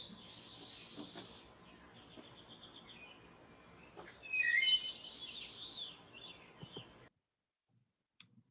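A Wood Thrush sings one clear, flute-like phrase that ends in a bright, high trill, over a steady hiss of background noise.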